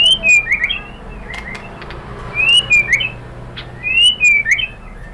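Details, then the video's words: Song of a white-rumped shama, played to provoke rival shamas into singing: three similar bursts of bright, slurred whistles about every two seconds, each rising then dipping, with faint background hiss. "pancingan jitu !!! bikin MURAI BATU NYAUT BONGKAR MATERI TEMBAKAN ¦ PANCINGAN MURAI ¦ SHAMA BIRD"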